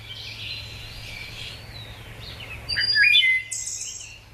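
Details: Wood Thrush song played as an example of bird song, described as beautiful and flutelike: clear fluted phrases with a bright trilled flourish near the end, over low steady background noise.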